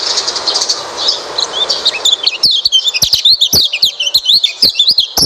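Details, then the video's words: Oriental white-eye song played to lure a quiet white-eye into singing: rapid, high twittering and squeaky trills, with sharp clicks in the second half and steady hiss in the background. "pancingan burung pleci malas bunyi"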